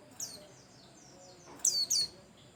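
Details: White-eye of the pleci Bustomi type, its song used to prompt other birds into singing. A faint early note, then a quick burst of two or three sharp, high, falling chirps near the end.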